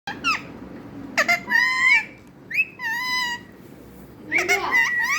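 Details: Talking parrot giving three bursts of harmonic, wavering whistled phrases, some notes bending up and down, with short gaps of quiet between them in a calm indoor setting.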